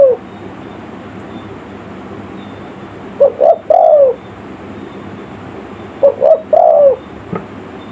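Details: Spotted dove village-style lure call for attracting wild forest birds: two mellow phrases of a doubled coo and a drawn-out descending croo, separated by a long pause, over a steady background hiss.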